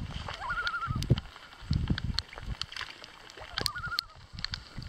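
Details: Common loons at a gathering on Lac Kipawa, Quebec, heard from a canoe: two wavering, quavering tremolo calls, the first near the start and the second toward the end, over low paddle sloshing and water gurgling.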